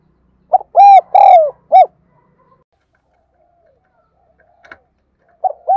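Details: Decoy spotted dove cooing loudly: a short note, then a drawn-out falling coo and a clipped end note. A single sharp click follows in the silence, and another phrase begins at the close.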